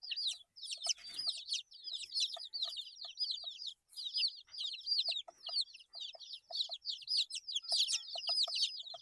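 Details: Baby chickens eight days old fill the air with overlapping high, falling chirps, while quick pecking clicks sound repeatedly beneath them.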